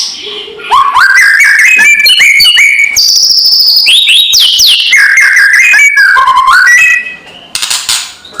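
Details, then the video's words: White-rumped shama kretekan used to provoke rival birds: quick stepped whistles climb upward, then a sustained high whistle, swooping notes, dipping slurs and a closing burst of harsh, high chatter. "SUARA PANCINGAN KRETEKAN MURAI BATU KERAS BIKIN EMOSI SEHARIAN"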